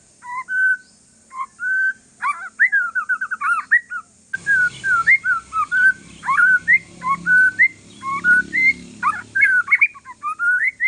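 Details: Relaxed song of a white-rumped shama of Aceh forest stock, aimed at getting other shamas to join in: sweet whistled notes, upslurs and a warbling trill, background hum growing halfway.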